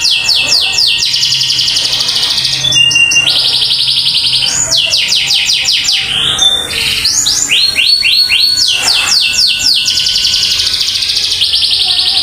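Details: Canary singing continuously and loudly: fast repeated trilled rolls and long sustained buzzy tours alternating with rapid stacked downward sweeps, high-pitched throughout, with a faint low hum beneath.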